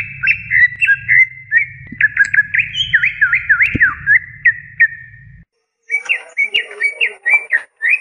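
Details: Greater green leafbird song from a masteran recording of a champion-candidate cucak ijo: quick chains of swooping whistled notes, up-and-down slurs, a low hum that stops midway, then more short whistles after a brief gap.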